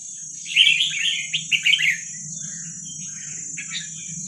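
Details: Young wild Vietnamese red-whiskered bulbuls, a recording meant for training young birds: a burst of bright chirpy warbled notes in the first two seconds, then softer fainter phrases, over a steady high whine and low hum.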